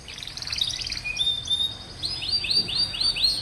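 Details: Canary singing to prompt response from young or reluctant canaries: a rapid warbled and trilled opening, then clear rising whistled notes repeated steadily, about four a second.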